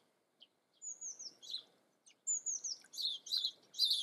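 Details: Common blackbird singing: thin high whistled phrases sliding downward, followed by clusters of squeaky twittering notes repeated in short bursts; quiet background.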